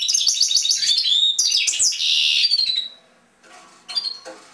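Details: European goldfinch singing in a cage, a quick run of twittering notes and a buzzy trill for almost three seconds, then quieter, followed by two short chirps.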